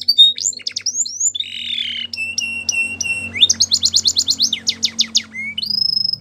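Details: Belgian canary singing for training, mixing quick whistled slurs, a held buzzy note, a steady pure tone, fast rattling trills of short notes, and a final long clear whistle over a low hum.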